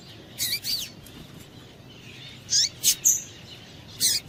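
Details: Female double-collared seedeater calling to arouse males, a few high, scratchy chirps with quick sliding notes, one early pair, then a cluster of three and a final chirp, over faint background hiss.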